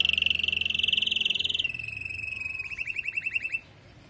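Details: Female canary calling to stimulate the male after moulting: a long high rattling trill that shifts into a rhythmic pulsed roll, with a low hum underneath.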